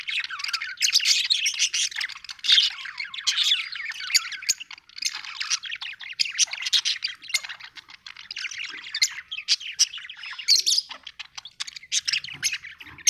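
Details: Happy budgerigar, an Australian bird, chirping in a dense continuous warble of rapid chattering notes and squeaks, busy throughout with hardly a pause.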